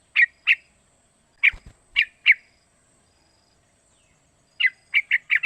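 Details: Young sooty-headed bulbul, three months old, calling to set off singing in other bulbuls; clear separate chirps, a quiet gap, then a quick string of five notes.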